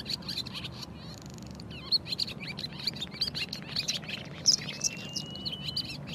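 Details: Barn swallow (Hirundo rustica) song: twittering in quick, high chirps and chatters, with a thin drawn-out note near the end, over a low background rumble.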